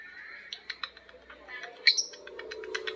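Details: Lovebird ngekek chatter with birds answering one another: rapid clicking chirps in a steady run, broken by a piercing high squeak midway.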